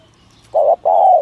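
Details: Spotted dove cooing in the thổ thúc gù style used by trappers to lure doves: a short low coo followed by a longer, steady coo, the pair clean against a quiet background.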